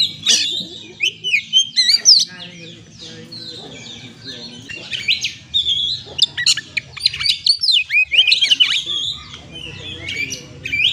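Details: Oriental magpie-robin (kacer) lure song to coax stressed birds into singing: busy, varied whistles and chattering bursts with a low background rumble and some noise.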